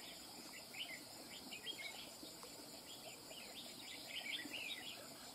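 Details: Wild-caught red-whiskered bulbul delivering its fast running song, rapid slurred chirps strung together in quick phrases, somewhat faint beneath a constant high-pitched insect drone.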